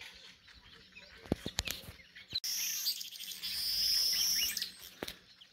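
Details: At dawn in Kibale Forest near Isunga Lodge, a weaver in a thorn tree gives a dense, buzzy, sizzling chatter. It is high-pitched and continuous for about two seconds, with scattered sharp clicks and faint background noise before it.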